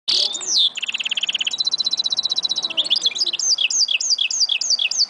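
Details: Goldfinch mule, 2011, singing: a harsh buzzy opening note, then a fast dry rattling trill, a steady high trill, and finally a run of bright, repeated, swooping chirps.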